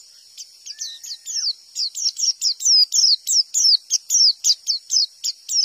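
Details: Wild-type white-eye giving "tembakan" song that makes other white-eyes answer. After a short, lower flat whistle, high downslurred chirps repeat steadily, almost two per second.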